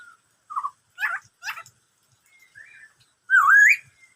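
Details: Black-throated laughingthrush, said to sing many kinds of sounds including the "bắt cô trói cột" phrase: a few short harsh notes, then a soft whistle and one loud rising whistled slur at the end.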